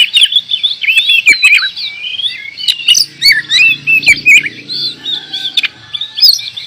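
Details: Oriental magpie-robin, a kacer kept as a songbird, singing continuously: rich, varied whistled phrases with slurred rising and falling notes and sharp chirps interwoven, mostly high-pitched, with a faint low hum beneath in the middle.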